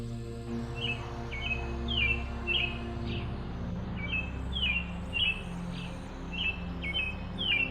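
An American robin gives short clear whistled phrases, sliding and dipping, repeated about twice a second, over steady background music.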